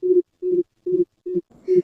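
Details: Greater coucal (Centropus sinensis), a cuckoo-family bird that usually stays hidden among leaves in dense trees and is heard in morning or daytime: five deep, hollow, resonant hooting notes about every half second, slightly echoing.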